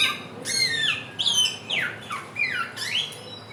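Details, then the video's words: Helmeted friarbird, locally called samyong, a bird native to NTB and NTT in Indonesia known as the bird of 1001 voices. Loud, harsh, slurred notes sweep downward one after another, with a few squawky rising phrases in between. "Pancingan samyong trotolan belajar bunyi"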